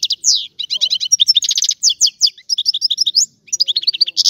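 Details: Sicilian European goldfinch (Carduelis carduelis) singing a rare 'antico' style song: rapid, clear twittering and trilling with high, bright notes in quick bursts, short pauses near half a second and three and a half seconds.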